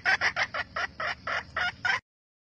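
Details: Red junglefowl hen calling to stimulate males with a steady run of about nine short, harsh clucks, evenly spaced roughly every quarter second, loud and rasping, with quiet background.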